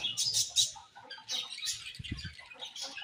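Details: Brief burst of budgie chirping: quick bright squeaks and twittering notes from more than one bird, with a soft low bump midway.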